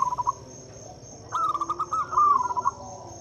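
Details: Local zebra dove singing as a lure to start quiet doves singing: one fast run of rippling, stuttered coo notes lasting over a second, preceded by a softer trill, with a constant high-pitched whine behind.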